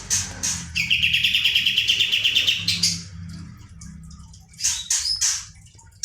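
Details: Kapas tembak bird singing hard, its rolling style meant to stir other birds: a few sharp high notes lead into a long, even, machine-gun trill lasting nearly two seconds, followed by scattered high chips.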